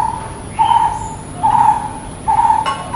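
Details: Brown-headed barbet delivering three hollow, low-pitched call notes at a regular pace, each a short steady tone, with a sharp tap near the end and light background noise.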